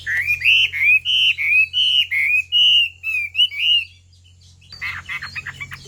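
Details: Chinese hwamei, a female urging a male to sing: a run of loud, clear whistled notes sliding up and down, about three per second for four seconds, followed by softer scratchy chatter.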